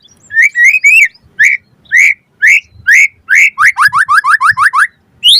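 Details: White-rumped shama song played to prompt other birds to answer: loud rising whistled notes about twice a second, speeding into a quick series of short upslurred whistles.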